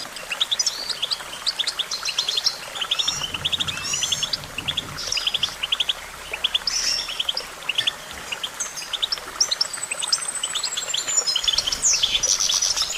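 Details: Extended goldfinch song: long bouts of dense twittering, rolled trills, clustered chips and a drawn-out thin whistle, steady and busy throughout, with faint low noise beneath.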